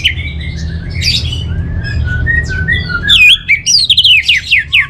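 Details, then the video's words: Orange-headed thrush singing: a run of varied whistled notes sliding between mid and high pitch, then a loud burst of sharp, twisting phrases near the end. A low steady hum sits underneath. "Suara ANIS MERAH Ini"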